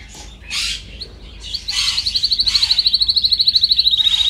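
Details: Canary in a training recording giving a few rough chirps and squawks, then a bright rapid trill of repeated notes, steady in pitch and rising in loudness.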